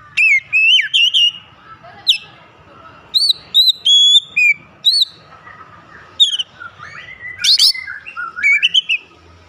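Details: Oriental magpie-robin in full energetic song, meant to prompt other magpie-robins to sing: a rapid series of loud, varied whistled phrases with sharp upslurs and downslurs, bursts spaced irregularly and broken by brief pauses, with a faint low hum behind.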